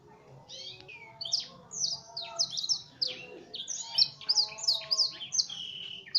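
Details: F1 canary singing a song filled with blackthroat-style mimicry, a tutored song: varied clipped whistles and buzzy notes, some sliding down, delivered in quick irregular bursts that grow louder after a quiet start.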